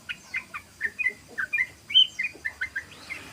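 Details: Sooty-headed bulbul 'ropel' song for luring: a brisk run of about a dozen short bubbly, down-slurred and rising chirps in under four seconds.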